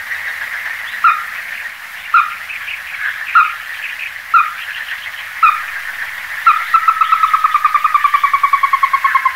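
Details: Ruddy-breasted crake, Porzana fusca: several spaced sharp notes, then an accelerating, slowly descending trill of rapid ticks, over constant background hiss.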